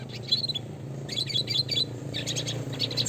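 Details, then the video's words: Classic red siskin song for training: repeated high whistled chirps and twittering motifs in quick succession, fairly loud, over a low rumbling hum. "pancingan suara kicau burung red siskin klasik gacor nembak ngeroll (spinus cucullatus)"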